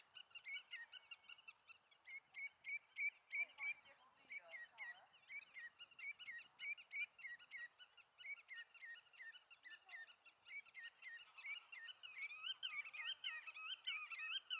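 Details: Common redshank in Eemland nature reserve near Eemnes, Netherlands, on 5 April 2014, gives loud, ringing, slightly downslurred notes in long excited runs of about three per second, with faint background noise.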